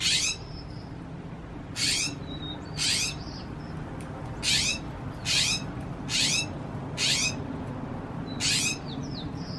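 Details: A Northern mockingbird perched on a tree branch, 25 October 2020, gives harsh, raspy bursts, about seven in ten seconds at an uneven pace, over a low background rumble.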